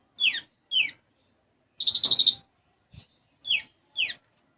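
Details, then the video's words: Olive-backed sunbird, known as konin, in gacor song with isian gereja sparrow imitations. Paired sharp downward-sweeping chips flank a single rapid buzzy trill, with a faint low thump in between. "Konin Gacor Isian Gereja"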